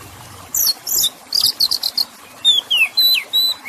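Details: Oriental magpie-robin (kacer) song used to coax a stressed or silent bird into singing: harsh buzzy high bursts first, then clear falling and flat whistled notes in quick succession, with faint trickling water behind.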